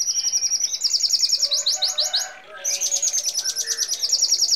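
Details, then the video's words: Red siskin song used as training material: long, fast trills of high notes, brief dip, then renewed rapid chattering trills, continuous and bright. "Red Siskin Gacor Ngeroll Isian Gereja Kolibri Rambatan Kenari ❗️Canto Pintassilgo Venezuelano"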